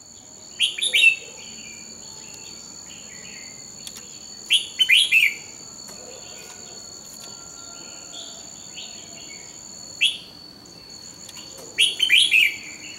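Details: Red-whiskered bulbul (Pycnonotus jocosus) morning song from 2020, used as training audio: short, bright warbled phrases in bursts, over a steady high insect-like whine.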